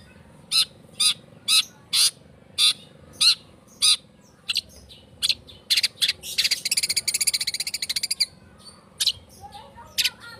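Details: Long-tailed shrike sounds used as a lure: harsh, rasping single notes repeated roughly every half second, then a rapid grating rattle lasting about two seconds, followed by a few more harsh notes and faint chirps.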